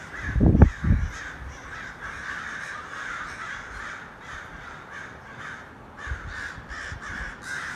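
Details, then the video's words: A flock of hundreds of crows gathered together, many harsh caws overlapping into a steady roar, opening with a couple of loud low knocks near the recorder. "A murder of crows. 100’s of crow birds gathering."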